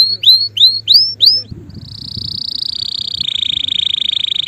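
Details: Male canary song opens with five bright rising slurred whistles, then runs into a sustained rapid rolling trill that drops slightly in pitch, with soft background rumble.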